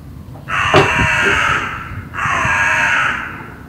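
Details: Loud hooded crow in Berlin giving two long, drawn-out, hoarse caws separated by a short pause, with a brief knock or clatter during the first call and low urban rumble behind.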